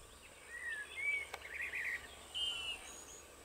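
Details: European bee-eater at Izliv Soče nature reserve on 1 June 2023, giving several short, faint, rolling burry notes over about three seconds, fairly high-pitched, with a steady high insect-like hiss underneath.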